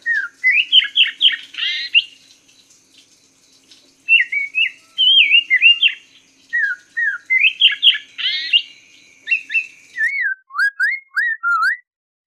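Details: Chinese hwamei master song for training caged songbirds. Varied whistled phrases, rapid rising-falling trills and repeated slurred notes come in bursts separated by short pauses, ending in a series of sharp upward-swept whistles.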